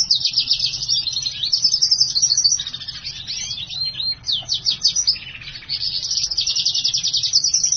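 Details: Black-hooded siskin x house finch hybrid, a caged bird singing for over two hours; continuous high twittering song of rapid buzzy trills and chirps, with brief sweeping whistles midway, with no other clear sounds.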